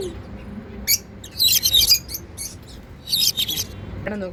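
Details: African lovebirds, unclipped and flying freely, giving happy sounds: bursts of shrill, high chirps and squeaky twitters in quick clusters, with a brief human voice near the end.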